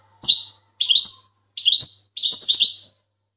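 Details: Large Turkish European goldfinch in full training: four quick chirpy phrases of liquid twittering notes in about three seconds, the last phrase longer and more tumbling, over a quiet background.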